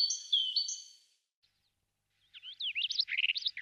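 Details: Great tit (Parus major), listed among Russia's best songbirds: a few clear, high whistled notes in quick pairs, then after a pause a fast, jumbled burst of twittering notes.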